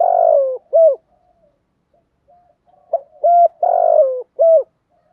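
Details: Spotted dove (Spilopelia chinensis) calling in the morning: low, mellow coos, a long slurred note dropping in pitch then a short clipped coo, repeated after a pause, in a quiet background.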